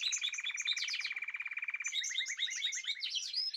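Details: Group singing of caged birds, 14 March 2026: a fast rattling trill with bright chirps layered on top, shifting into a run of quick, repeated slurred whistles amid constant twittering.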